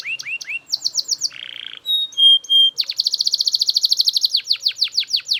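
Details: Loud Belgian canary song with quick falling whistled notes, a brief buzzy roll, a few pure sustained whistles, then a long rapid trill of repeated notes and slower sweeping chirps.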